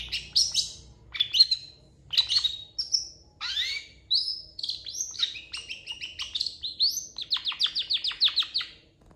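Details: Long-tailed shrike song rich in imitations such as cat and chicken sounds, used for training songbirds: a lively series of clear whistled notes, some sweeping up and others falling, then a fast run of repeated high chips near the end.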